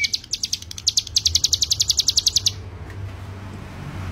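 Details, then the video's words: Ciblek gunung (hill prinia) master song for training birds: a burst of high, sharp pulsed notes that speeds into a steady rapid trill, then stops after two and a half seconds, leaving a low hum and faint background noise. "CIGUN ( CIBLEK GUNUNG ) MASTERAN BURUNG"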